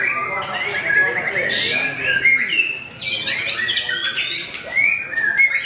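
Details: White-rumped shama (murai batu) debutant at a singing contest, finishing on the podium; varied fluty whistles, quick rising and falling phrases and scratchy notes, several birds singing at once.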